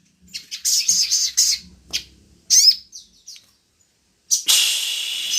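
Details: Sogon (crimson sunbird) song used to draw other birds into singing: short bursts of high, hissing trills and sharp thin notes separated by brief gaps, ending in a loud sustained rushing noise.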